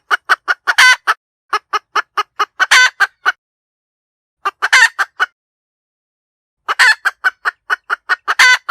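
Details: Hen cackling in loud bursts: rapid series of short clucks building to a longer harsh squawk, repeated in three bouts separated by pauses, against a silent background.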